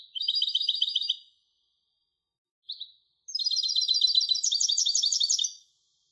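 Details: European goldfinch hybrid with a rapid trilled phrase, a single chirp, then a longer, louder, buzzy twittering run of fast-repeated high notes.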